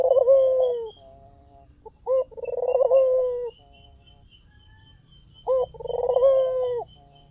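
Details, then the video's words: Lure recording of a white Barbary dove singing: three purring coos, each a quick throbbing roll into a drawn-out low note, separated by pauses, with a faint high whistle throughout. "SUARA PUTER PUTIH FULL GACOR || PANCINGAN AMPUH"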